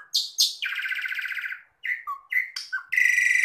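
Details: Jalak suren, the Asian pied starling, singing: sharp high notes, then a long buzzy rattling phrase, short whistles and a final harsh sustained tone.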